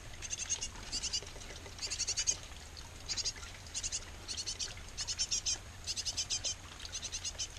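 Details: Softer, more distant-sounding high chirps from a great tit nest box with a pair feeding nestlings, arriving in short clustered bursts every second or so over a steady low background hiss.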